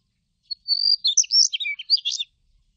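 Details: A Daurian redstart sings one quick, high phrase, a thin whistle then a scratchy jumble of rapid notes, over in under two seconds against silence.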